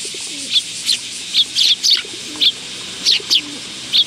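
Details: Willow tits visiting a feeding spot on a bench at a Tenmangu shrine on 10 August 2022: sharp, high, clipped chip notes, singly and in quick pairs, about every half second, with a constant shrill background drone.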